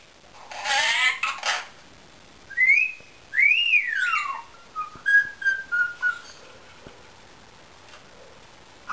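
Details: Whistling from a pet Indian ringneck parakeet: a harsh burst, then a long arched whistle that climbs and sweeps smoothly down, followed by a string of short level whistled notes.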